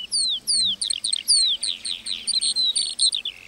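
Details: Lark singing in a meadow: a fast run of high, bright whistled notes, several sharp downward slurs followed by quick chirpy phrases and a trailing buzzy trill, with no other sounds.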